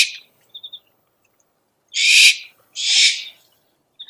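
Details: Owl calling sound used to attract owls: two harsh hissed screeches in close succession after a quiet gap, with small high twitters before and after.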